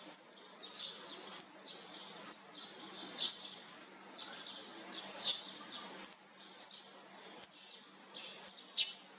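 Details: Olive-backed sunbird chicks being fed beg with thin, very high chirps, each a quick downward-slurred note, repeated about every two-thirds of a second with no other sounds.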